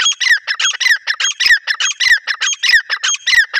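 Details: Female grey francolin calling, a recording used to lure wild birds for trapping: a rapid, unbroken run of harsh, squawking notes, several each second, loud and close, each note sliding briefly downward, with no other sounds.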